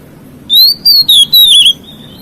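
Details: White-rumped shama singing to provoke other shamas: four loud, clear whistled notes in quick succession, rising then slurring downward, over a quiet background.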